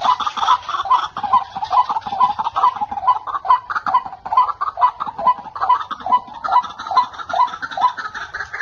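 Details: Wild male white-breasted waterhens calling at a lure-trapping spot crowded with birds; harsh croaking notes repeat steadily, about two per second, with other waterhens calling around.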